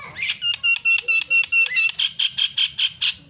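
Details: Javan myna (jalak kebo) singing a master filler song (isian) for tutoring other songbirds: a bright, high, buzzy note repeated rapidly about a dozen times, each one sharp with a ringing edge, over quiet room hum.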